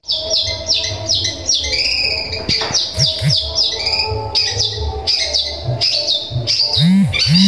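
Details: Long-tailed shrike in sparrow-like song used to make other shrikes agitated: steady string of high falling chirps, about two per second, with a few low hooting arcs and a constant hum behind.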